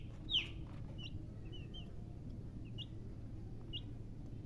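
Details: Baby chicks chirping: one loud falling peep opens, followed by several softer, short high peeps scattered over the next seconds above a low background hum.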